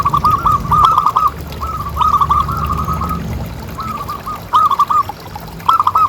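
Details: Zebra dove calling, a sound used as a lure to make other doves call: groups of quick, bubbling double coos repeated in short bursts with pauses between, over a low background rumble.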